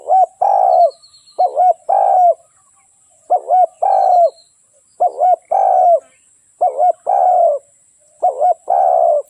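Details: Decoy spotted dove for luring wild doves gives a run of coo phrases, each a short wavering two-part note then a longer husky falling coo, repeated roughly every 1.5 seconds, with faint high chirps from other birds.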